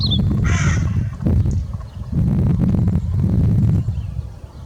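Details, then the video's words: One short, hoarse crow caw near the start, followed by a long stretch of heavy low rumble like wind buffeting the microphone. "Crow call - Panggilan gagak / gagak suara / suara gagak hewan"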